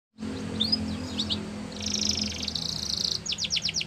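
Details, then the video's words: Gloster canary singing: a few sweeping whistled notes, then a dense buzzy roll and quick descending chips, over a low steady hum. "Gloster Canary Singing | Canary Bird Sounds"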